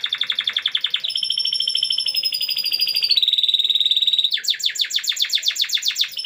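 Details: Canary whose song imitates a lovebird, used as a tutor for bushlark training; rapid buzzy trill opens, then long steady whistled notes, shifting to a fast series of sharp repeated chirps near the end.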